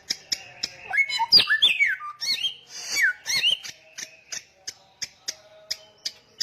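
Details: Samyong singing with vigour: quick twisting whistles and slurred notes in a short burst, followed by regularly repeated sharp clicking ticks.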